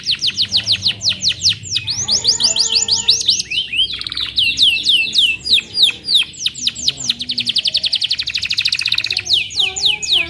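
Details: Canary in full song: long, loud, rapid rolling trills of sharply repeated notes that change speed and pitch, with buzzy stretches and brief clear whistles, almost without pause.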